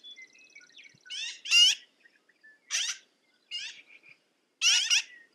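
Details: Spaced harsh squawks, four in all, each a rough nasal note with a rising edge, attributed to a black-billed magpie, after a faint high steady tone at the start.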